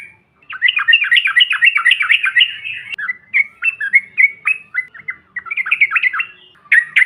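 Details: Yellow-vented bulbul provocation call: a nearly continuous run of rapid, warbling, up-and-down chirps that briefly breaks into short separate slurred notes, then resumes its fast chatter.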